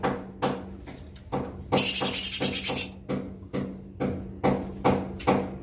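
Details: Lesser green leafbird (cucak ijo mini) delivering one short, high, rattling trill of just over a second among steady, rhythmic knocking clicks roughly every half second.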